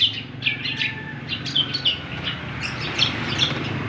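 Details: Cucak kombo singing actively: a run of short, sharp chirps and whistled notes, each repeated roughly every half second, over a steady low rumble of background noise.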